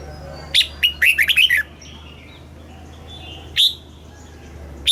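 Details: Southern master-style red-whiskered bulbul song, played to stimulate caged birds and train young birds: a lively burst of about seven bright, downward-slurred notes, then a single sharp note later, faint whistles and a low hum.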